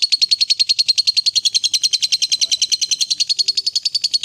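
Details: Ngekek chatter of a fighter lovebird, played to rouse a reluctant lovebird to sing: a steady, very regular rattling trill of high pulses, about three or four per second, flat in pitch.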